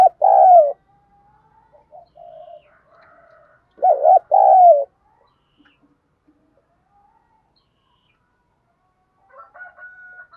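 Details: Decoy spotted dove from southern Vietnam singing in the 'giọng đồng' voice to provoke wild doves: a clipped coo at the start, another full double coo near four seconds, then soft faint notes.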